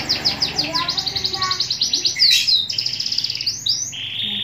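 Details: Canary from Pemalang, Central Java sings a fast run of bright, repeated high chirps, about eight per second, then a rising whistled sweep and rolling trills.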